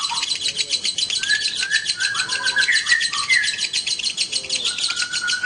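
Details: A lovebird pair, male with female, keeps up a busy high scratchy chatter laced with short clearer whistled notes, some rising, some level.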